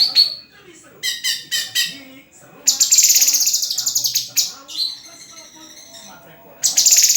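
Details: Singing white-rumped shama: a short whistle, then a run of stacked chattering notes, followed by loud, sustained buzzy trills that stop and restart.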